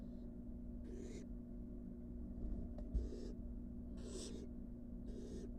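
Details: Wild barn owl nestlings in the nest box after leaving the porch: three clear rasping hisses plus a fainter one, spaced irregularly, with a low hum and a small thud.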